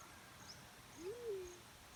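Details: Black-chinned fruit dove giving a single low, soft note that swells upward, then slides gently down and fades, with faint background hiss and distant high chirps.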